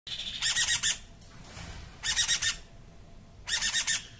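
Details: A two-week-old baby Meyer's parrot, just taken from the nest that morning, gives harsh, rasping begging screams in pulsing bursts of four or five notes, about every one and a half seconds, indoors.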